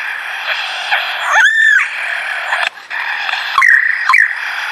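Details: Lyrebird singing: a few clear whistled notes near one pitch, one swooping slightly downward, with sharp clicks between them and a faint steady hum behind.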